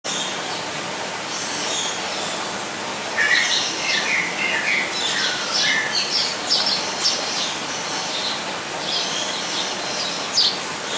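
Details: Blue-and-yellow Tanager (Thraupis bonariensis) in an aviary at Weltvogelpark Walsrode, Germany gives short, sliding mid-pitched notes and thin high chips in loose, irregular bursts over a steady background hiss.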